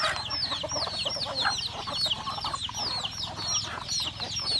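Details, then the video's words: Chickens at a rural home eating breakfast: a dense chorus of high, thin, down-slurred peeps overlapping continuously, with soft lower clucks and scattered pecking taps underneath. "Beautiful sound of chicken eating breakfast"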